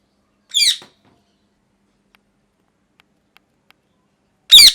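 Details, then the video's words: Pet parrot, molting and missing feathers, giving two short harsh screeching calls about four seconds apart, each a rapid burst of stacked notes; silence between them apart from faint clicks. "Parrot Chirping Sounds | Natural Parrot Sounds | Parrot Calling Sounds"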